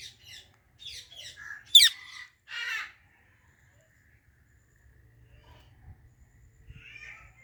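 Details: Ringneck parrot chattering in short raspy notes, one loud shrill squawk, a harsh buzzy call, then quiet rustling and a faint chirp.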